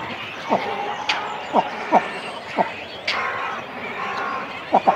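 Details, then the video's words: Cormorant chicks and adults at the nest in a colony, close-up: short, sharp downward-sliding clicks or yelps repeated irregularly about every half-second to second, over faint colony chatter. "Cormorant. CU Calls From Chicks And Adults On Nest. Colony Sounds."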